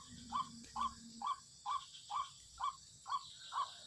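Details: White-breasted waterhen lure call for bird trapping: eight short hollow notes at an even rhythm, about two per second, over a low hum and a steady high hiss.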